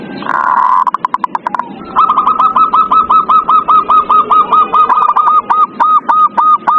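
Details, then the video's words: Zebra dove, played as a lure to make a quiet dove sing: a few quick clipped notes, then a long run of short hooked cooing notes repeated steadily, nearly two per second, in a small indoor space. "Pancingan perkutut paling ampuh | perkutut males bunyi"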